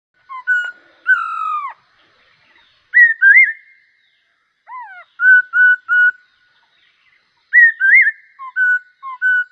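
A bulbul sings short, clear whistled phrases, bubbling and slightly rising, given in bursts every couple of seconds with quiet gaps between.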